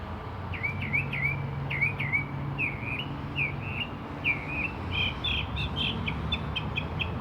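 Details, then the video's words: Bird calling from a tree, making odd noises: a series of wavering, slurred whistled phrases at moderate pitch, repeated roughly every second, ending in a burst of rapid short notes, over steady low background hum. "Bird in tree making crazy noises"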